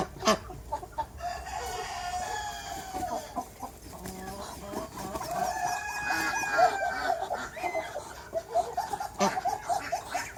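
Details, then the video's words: Backyard farm chickens of several breeds, on a farm with over 100 animals, cluck busily in a dense overlapping chorus, with a rooster's long drawn-out crow rising above the flock midway through. "Roosters And Chickens"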